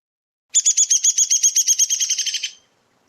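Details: Downy woodpecker (Dryobates pubescens) whinny: a rapid run of about fifteen sharp, squeaky notes over two seconds, slowing slightly and descending in pitch toward the end, unlike the hairy woodpecker's one-pitch whinny.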